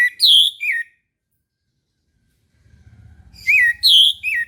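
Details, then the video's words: Morning song of an orange-headed thrush: two bright three-note whistled phrases, swooping and slurred, three seconds apart, with a low rumbling background noise rising just before the second. "PANCINGAN ANIS MERAH TERBARU 2022 | BURUNG MACET LANGSUNG IKUT NGEMPLONG"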